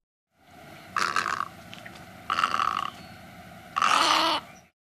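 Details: Snowy egret (Egretta thula), croaks.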